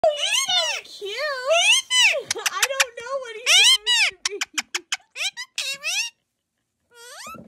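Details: Kiwi, an Indian ringneck parakeet kept as a pet in Nova Scotia, Canada, chatters in a high, squeaky voice imitating human speech, likely "what is it?", with quick word-like phrases and short pauses in a quiet room.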